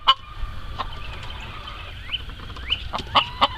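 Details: Farmyard chickens near the coop giving sharp short clucks and a couple of quick upward-sweeping squeaks, spaced irregularly over steady low background noise.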